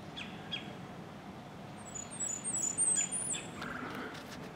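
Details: Blackburnian warbler foraging and singing from a snowdrop perch, with an ovenbird and another Blackburnian warbler singing in the background: a faint, very high, thin series of rapid notes, with lower chips and steady outdoor background noise.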